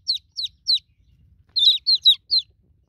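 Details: Newborn chicken chicks calling for the broody mother hen: three spaced high peeps, a brief lull, then a tight cluster of overlapping falling peeps.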